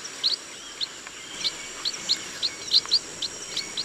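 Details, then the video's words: Chestnut munia in a rice field giving rapid, high, slightly buzzy chirps, several bunched together, over a continuous high-pitched drone. "CHESTNUT MUNIA BIRD SOUND"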